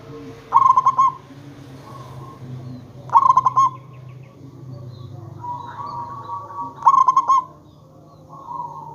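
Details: An actively singing local zebra dove, used to lure other zebra doves into calling back, gives a rapid, stuttering cooing phrase about every three seconds. Three phrases, with soft sustained tones between them.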